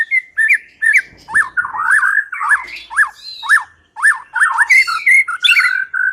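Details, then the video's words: Lure song of a white-rumped shama, meant to prompt a reluctant bird to sing: a steady series of sharp, harsh chevron-shaped notes repeated about twice a second, with a few higher twittering notes mixed in. "Pikat Murai Batu Dengan PANCINGAN GACOR Ini Di Jamin Macet Langsung Bunyi"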